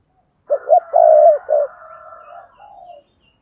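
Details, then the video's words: Spotted dove calling to stimulate other doves to coo: two short rising coos, a long steady hooted note, then a shorter coo trailing into a faint soft tail, with clean silence around it. "tiếng cu gáy thúc bổi"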